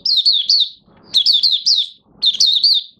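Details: Mata puteh raja, Oriental white-eye, beginning to sing on 30 August 2022 while its new white feathers finish pigmenting; three clear phrases of high, wavering, slurred whistled notes, about one per second.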